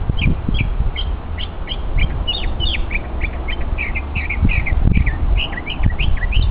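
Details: Mockingbird demonstrating its vocal talents on a hiking trip: a busy stream of varied chirps and slurred notes in rapid succession, over constant low-pitched background rumble.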